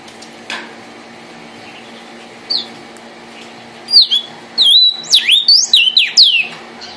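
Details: Vermilion cardinal, red, opens with a couple of faint notes, then breaks into a loud run of rapid, steeply downslurred whistles over the last three seconds; steady low hum throughout.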